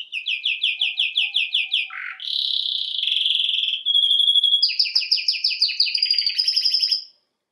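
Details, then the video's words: Canary song opening with a fast series of repeated down-slurred chips, then a rough buzzy trill, a pure steady whistle, and rapid doubled notes climbing higher. "Canary bird Singing"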